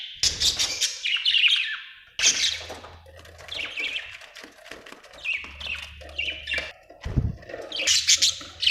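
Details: Budgie chirping almost continuously: scratchy, buzzy chirps and warbled chatter with a faint low hum beneath and an occasional soft thump.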